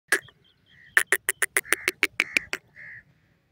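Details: Caged female partridge calling: a sharp click, then a fast run of about ten hard, evenly spaced chucks with short nasal whistled notes between them, ending on a drawn-out buzzy tone.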